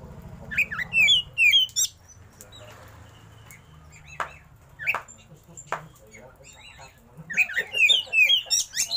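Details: Oriental magpie-robin (kacer), a caged bird, singing two bursts of quick, sweet whistled phrases with slurred notes, separated by a pause holding a few sharp clicks and low rumble.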